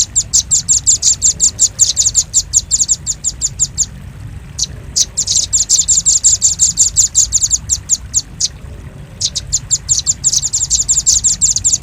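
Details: Velvet-fronted nuthatch lure call meant to attract birds: long, rapid trills of high chips broken by two short gaps, each burst running several seconds at a fast, even pace.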